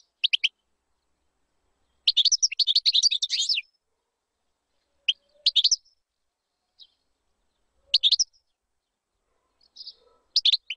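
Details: European goldfinch song used to teach chicks, broken into short bright twittering bursts with long silent pauses between them; a longer tinkling phrase comes near the start.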